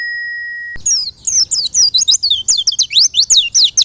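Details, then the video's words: White-eye song used to make other white-eyes answer: an electronic steady tone at the start, then a quick, excited twitter of high, sliding, mostly falling whistled notes packed closely together. "PLECI APAPUN LANGSUNG NYAUT !! LANGSUNG BUKPAR DEGAR SUARA PLECI INI"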